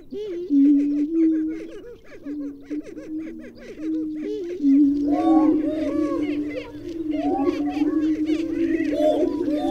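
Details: Greater prairie-chickens give a deep, steady moaning hoot with looping cackles. Later the chorus swells into overlapping whoops and chatter over a low rumble.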